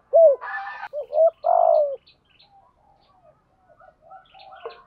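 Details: A spotted dove gives short coos and a long burry falling note, a 'thúc gù' phrase meant to prompt replies from young birds. A harsh broadband burst sounds between the coos, and faint scattered notes trail afterward.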